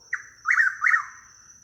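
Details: Chuck-will's-widow spooked at night in woods at Hammock Park, Dunedin, Florida, as it flies away. Three harsh, nasal twanging notes come in quick succession over a steady high insect-like whine.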